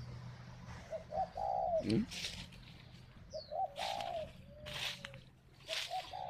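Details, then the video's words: Spotted dove kept at a bird farm in Ba Vì, Hanoi, Vietnam, giving a calling coo: short low hooting notes followed by a drawn-out mellow coo, repeated, with a rustling burst and faint outdoor background. "Gáy gọi Hậu 1"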